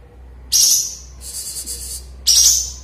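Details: Sooty-headed bulbul singing vigorously again after moulting; two sharp, bright high phrases bracket a rapid pulsing trill, with a steady low hum in the background.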